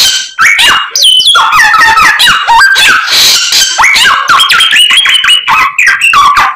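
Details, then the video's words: White-rumped shama singing constantly, delivering a full 'isian' repertoire of learned phrases: loud, rapid, varied whistles and chattering notes sweeping up and down in quick succession with barely a pause, mixed with harsh buzzy bursts. "BURUNG SAMYONG GACORR FULL ISIAN"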